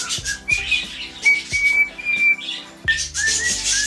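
A cockatiel whistles clear, fairly high sustained notes, some held and gently rising, over quiet background music with soft plucked tones.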